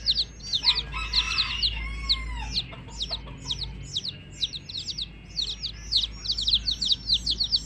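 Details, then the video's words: Baby chicks accompanying a hen peep in high, falling notes; early on a few lower, drawn-out calls sound, then rapid overlapping chirps continue. "LOVELY Hen Baby Chicks, Witty MURGI Baby "Chicks Chirping" Sound"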